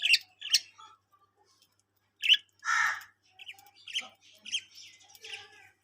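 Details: Budgerigars in a colony making quick high squawks and chirps, several in close pairs, with one broad rasping screech in the middle and softer twittering chatter following.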